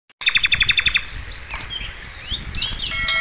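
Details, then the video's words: Sikatan londo, a flycatcher, in a master recording for training songbirds: a fast run of bright, evenly spaced chirps, then mixed high whistles, slurred notes and trills, with a low rumbling background. "masteran mewah sikatan londo gacor"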